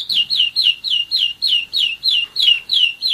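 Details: One-year-old German Roller-split canary singing: a steady series of bright descending whistled notes, about three per second, each sliding downward with a clean, ringing tone.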